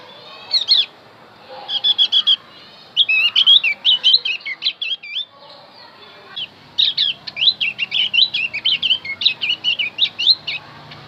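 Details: Javan white-eye song meant to draw in wild birds: bursts of quick, sharp chirping and twittering in groups, a brief pause mid-way, then a long lively run of high notes.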